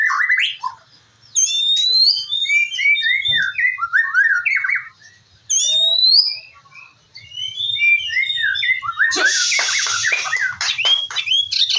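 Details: White-rumped shama, a fighter bird being prepared for singing contests: rich, rapid series of varied whistled and chattering phrases, sliding notes rising and falling, with short pauses between bursts and a harsh rasping passage near the end.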